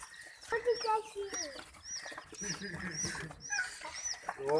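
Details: Hen's chicks give a run of high, thin peeps, each sliding downward, several per second, over a man talking in Hindi in the background.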